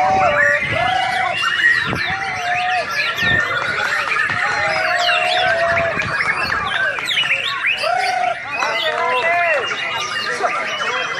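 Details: Champion competition white-rumped shama from Singkawang singing a dense, varied run of clear whistled notes, slurs and rapid chirps, with steady overlapping phrases throughout and a brief dip near eight seconds.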